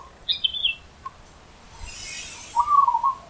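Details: Wild zebra dove giving a loud song: a single quick, rippling coo phrase near the end. A higher chirping bird is heard first, and there is faint hiss in the background.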